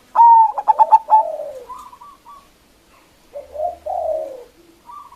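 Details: Zebra dove of local stock, strong-voiced, calling to lure opponents: a clear whistle then five fast staccato coos sliding into a descending purr, with quieter rolling coos later and a faint low hum.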